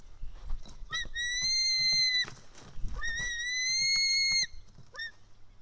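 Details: White-tailed eagle chick screaming for food as an adult feeds it fish, Estonia, 4 July 2018, 1:10 pm: two long shrill whistles, each preceded and followed by short clipped squeaks, amid tapping and rustling in the nest.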